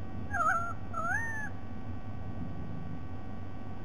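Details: A white-bellied sea eagle, recorded 07/12/2020, gives two nasal, honking calls, the second rising slightly, then falls silent over a steady low rumble.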